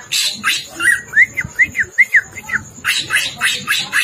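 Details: Greater green leafbird song, meant as a training and lure recording: a quick run of six or seven clear, rising whistled notes between bursts of harsh, scratchy chattering.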